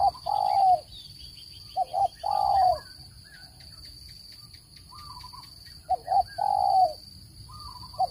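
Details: Spotted dove lure call for trapping birds: three phrases of two brief coos and a drawn-out descending coo, separated by pauses filled with soft chirps and a persistent high-pitched hum.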